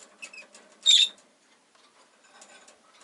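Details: Single loud, harsh high chirp from a pet rosy-faced lovebird during a leisurely afternoon, surrounded by quiet scratchy rustles and faint ticking.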